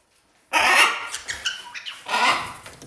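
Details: Parrot kept indoors in a house shared with other exotic animals, where two small parrots drove out a big one: loud, harsh, broadband squawks in two bursts, the second about one and a half seconds after the first.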